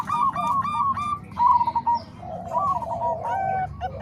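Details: Combined Bangkok and Cemani Kolbuntet zebra dove voices, used to train other doves: several birds give quick, rounded coos in bursts, with a clear strong phrase midway, against a low background rumble.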